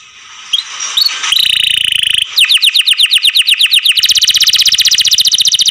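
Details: Canary in care singing: a soft start, a buzzy chattering phrase, then loud rapid trills of descending sweeps growing into a fast, dense rolling series.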